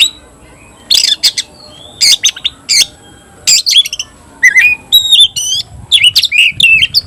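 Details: Caged kacer (oriental magpie-robin) singing in the 'tayoraky' style while fanning its tail. Harsh buzzy bursts mix with clear whistles and swooping slurs, with the song growing busier toward the end.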